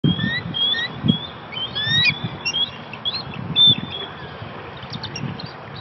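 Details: Bald eagle call: thin, high whistled chirps and short upslurred piping notes, scattered irregularly, over a low rumble of wind or distant traffic.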